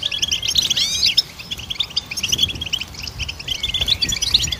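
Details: Goldfinch song used to train songbirds: rapid, tinkling high chirps with a few upswept whistled notes near the start, then steady twittering through the rest.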